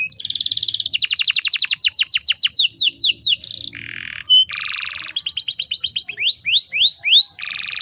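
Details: Breeding-condition female canary calling to provoke males. A buzzy trill opens, then quick chirp runs and broad rasping bursts, and later rising whistled slurs repeated about once a second.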